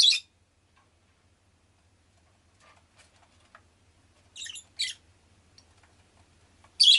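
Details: Pet rosy-faced lovebird uttering scattered piercing chirps: one at the start, a pair in the middle and another loud shriek at the end, separated by quiet stretches.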